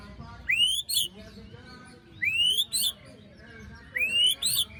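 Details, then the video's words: Post-moult lure song of a white-rumped shama with harsh besetan: three evenly spaced phrases, each a bright upslurred whistle snapping into a grating double rasp. "Pancingan murai batu macet bunyi paska mabung terbaru besetannya bikin ngilu!!"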